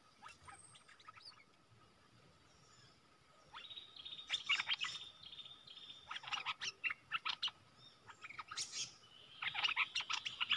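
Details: Decoy bulbul calling to draw a rival into a fight, recorded 31 December 2021; after a quiet start, scattered bursts of bubbly, chattering notes and short whistles come irregularly over several seconds, with steady background hiss.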